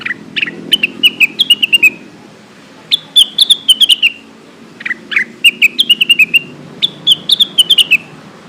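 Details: Companion-calling lure of a lesser green leafbird: three repeated phrases, each opening with a lower slurred note and running into a fast chain of clear descending whistles, with short pauses between phrases.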